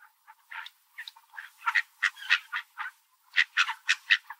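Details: Several Mallard ducks at a park scramble and peck at one another while competing for scattered birdseed; harsh, nasal quacks come in quick uneven runs, about two per second, growing louder toward the end.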